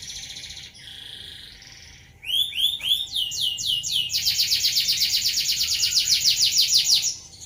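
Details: Canary delivering a rolling song meant for tutoring other birds: soft buzzy phrases, then loud curved up-slurred notes leading into a long rapid trill of repeated chirps about three seconds long.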